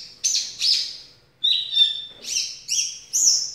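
Javan bush lark singing a quick run of bright, high whistled and slurred phrases, about six in under four seconds, over a faint steady hum.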